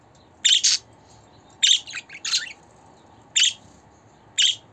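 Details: Pet budgie calls meant to make the bird happy and used for new or young budgerigars: paired and single raspy chirps, about one per second, irregular rhythm.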